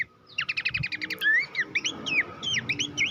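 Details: Horsfield's babbler song used to train songbirds for competitions. Starts with a rapid stuttering run of clipped chirps, then gives several looping whistled phrases that rise and fall, over a faint background murmur.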